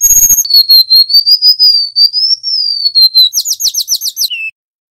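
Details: Golden-bellied gerygone song from wild-caught male and female birds, kept as tutor audio for caged birds: a long wavering whistle, then a fast series of about eight sharp rising chirps, then a short lower whistled note.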